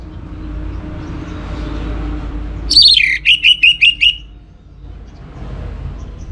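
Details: Orange-headed thrush kept as a song bird, singing a lure song meant to spur other birds: a falling whistled trill, then a quick series of five short, bright whistled notes. Faint background hum before and after.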